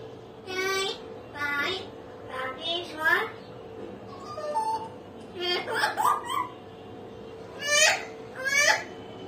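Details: Pet common hill myna talking, laughing and now and then crying: a run of short, harmonic, speech-like phrases and sharp bursts, spaced through the recording, with a steady low hum behind.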